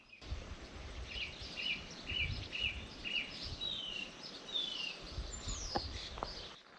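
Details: Song thrush singing on a farm on the Awhitu peninsula, New Zealand, at sunrise on 21 December 2024, summer solstice: it repeats a short, bright phrase three to five times, then adds a few high, descending whistles over steady background noise.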